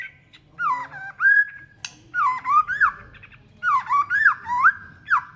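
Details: White-rumped shama giving a varied, multi-voiced competition song: rich whistled phrases that swoop up and down, delivered in three bursts separated by short pauses, with faint low background hum.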